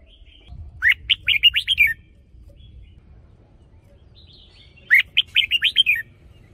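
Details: Two matching phrases from a caged decoy red-whiskered bulbul about four seconds apart, each a fast string of seven whistled, rolling notes, over a steady low rumble.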